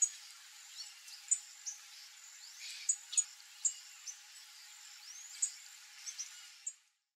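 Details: A flock of young screaming cowbirds (Molothrus rufoaxillaris) gives scattered, very high, thin calls: sharp sliding notes and quick chips about every half second, over a steady background hiss.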